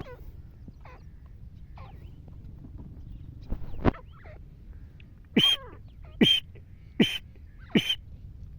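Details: Wild black francolin calling: faint scattered notes give way to four loud, harsh, grating notes spaced under a second apart near the end, with low background hum throughout.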